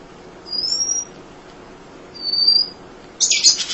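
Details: Munia singing tirelessly as master material for other songbirds: two long thin level high whistles followed by a burst of harsh buzzy chatter.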